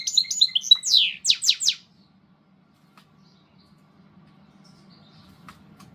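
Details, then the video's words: European goldfinch in a mixed-song style giving a short burst of high twittering and several sharp, descending whistled notes lasting under two seconds, followed by quiet background hum with faint clicks. "mixto de jilguero"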